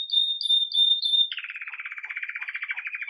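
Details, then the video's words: Red mosaic agate Belgian canary singing the bell-like campainha style, lively as its day begins, recorded live: clear pure ringing notes, then an abrupt shift to a lower, rapid, buzzy rolling trill. "Canário Belga Ágata Vermelho Mosaico Canto Campainha"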